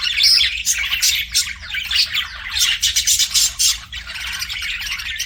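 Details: Budgie chatter: fast, raspy chirps and buzzy squeaks run together continuously, with a few sharper clicking bursts near the middle, forming a lively non-stop warble.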